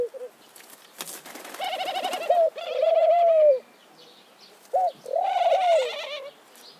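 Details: Mourning dove (Zenaida macroura) song: low, hollow coos, drawn-out notes that rise then slide down, separated by short pauses, with a sharp click near the start.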